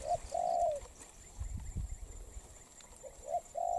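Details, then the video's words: Spotted dove, a newly caught wild-type bird in molt, gives low mellow coos: a short note and a long drawn hooting note at the start, a quiet gap, then the phrase begins again at the end. "Bổi Đồng Pha tốt tiếng , liền lẹ , bài khá , gù tốt"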